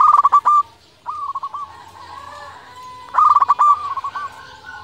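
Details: Cooing of a local zebra dove, used to lure doves and provoke rivals into replying. Two rounds of rapid, bubbling, stuttered coo notes are separated by softer, drawn-out tones, all in a mellow, mid-pitched voice.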